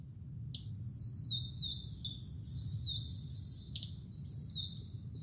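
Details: Blue-and-white flycatcher singing from the top of a tall tree on Mount Futatabi on 4 June 2018, before the rainy season: two bright, clear whistled phrases that start sharply, waver downward and trail off, with a low steady rumble beneath.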